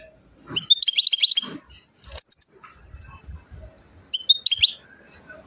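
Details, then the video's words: European goldfinch in Chouala, Mendes district, Relizane, Algeria, giving short bursts of bright, rapid, chattering twitters separated by pauses, with some soft low knocks in the background. "تغريد حسون غليزان الشوالة"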